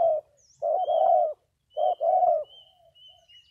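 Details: Spotted dove giving two loud husky coo phrases, each a short note leading into a longer one, with high thin whistles from another bird between and after.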